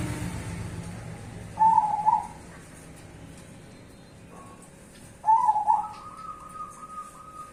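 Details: Zebra doves, cemani and Bangkok types, duetting: two warbling coo phrases about three seconds apart, the second running into a long even trill, over quiet background hiss.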